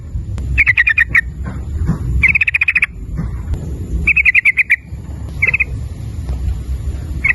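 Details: Yellow-vented bulbul, a lure song meant to prompt other birds to sing rapidly, in a fast chattering style. Short bursts of rapid buzzy notes at a steady pitch come every second or two over a low background rumble.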